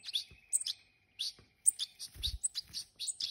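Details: Hand-reared European goldfinches calling: bright, tinkling, high chirps in quick irregular clusters, with a thin steady whistle held underneath for the first half and a few soft low thumps.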